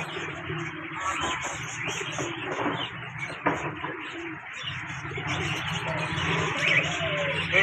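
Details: Birds in the early morning: a dense, mixed chorus with faint high chirps above steady background noise and soft low sounds, plus a brief voice at the end.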